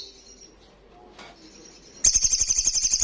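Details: Olive-backed sunbird in loud 'ngalas' song: after two seconds of faint high notes, a sudden rapid shrill trill of evenly spaced pulses begins and continues for about a second.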